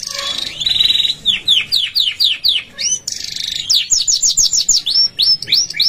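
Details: Canary singing, meant for song training: a rapid rolling trill, then spaced descending whistles, a short buzzy burst, and quick high repeated notes with occasional low murmur beneath.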